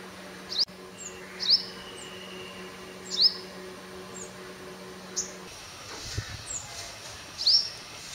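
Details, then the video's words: Dawn sunbird song at 5:30 AM, a string of short, sharp, high upswept notes scattered across several seconds, with a steady low hum in the first part. "தேன்சிட்டின் சங்கீதம் | The Voice of Sunbird"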